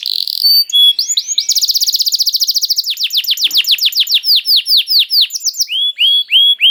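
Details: Loud canary singing meant to stir other canaries into song: a steady high whistle, a quick rattling trill, then long series of arched downward-sweeping notes gradually slowing, ending with rising upslurs.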